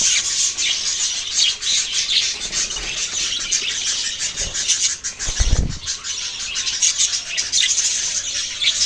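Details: A group of budgerigars chirps in a continuous high, scratchy babble of quick notes, with a loud low thump or flutter midway.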